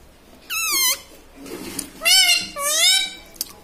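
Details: Pet parrot talking indoors, taught mummy, papa and radhe radhe; three high, wavering, voice-like syllables, the first falling and the later two sliding upward, with a soft murmur between them.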